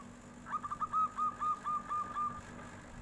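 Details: Local zebra dove with a flute-like 'nyuling' song, calling back as a tofu seller goes by: one clear phrase of about ten evenly spaced, soft cooing notes at a steady pitch, delivered in roughly two seconds.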